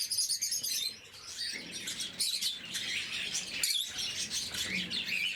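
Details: Blue-mutation lovebirds during morning feeding, several pet birds giving shrill squeaks and thin rising whistled chirps amid steady overlapping chatter.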